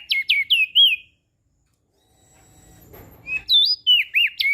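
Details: Vigorous sweet singing of a Lombok crested white-eye, used to stimulate reluctant birds: a rapid run of high, curling whistles, a silent gap with a faint low rustle, then another lively whistled run.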